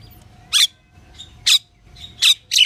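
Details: Pied myna repeating short harsh squawks about once a second, with soft whistles between them and a faint steady hum.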